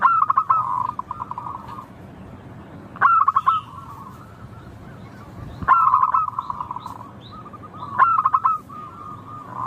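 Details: Local zebra dove song used to get doves singing fast. Stuttered bursts of rapid cooing notes come about every two and a half seconds, each trailing into a softer even run.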